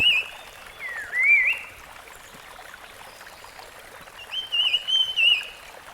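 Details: Wild rusty-fronted barwing giving two whistled phrases: first a dipping, then rising slur, and after a pause a wavering run of high clear notes.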